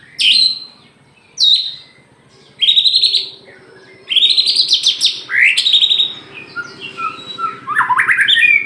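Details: Caged white-rumped shama of the Aceh type in bursts of loud song: sharp high whistles and rattling rising-and-falling phrases separated by brief pauses, over a low steady hum in the background.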